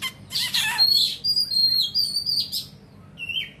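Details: Oriental magpie-robin singing while fanning its tail wide: loud, clear high whistles, some steady and some slurred downward, mixed with harsh scratchy bursts and short pauses between phrases.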